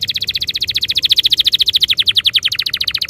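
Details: Canary roll in ngerol style, used as a lure to make canaries sing: a continuous very fast trill of high pulsed notes, steady in pitch, about ten notes per second.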